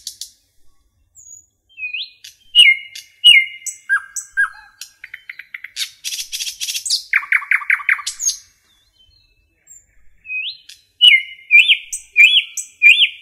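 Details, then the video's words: Common nightingale song in a forest, mixing rising whistles, repeated slurred phrases, a burst of harsh scratchy notes, a rapid stuttering run, then a pause and renewed looping whistled phrases. "Nightingale song"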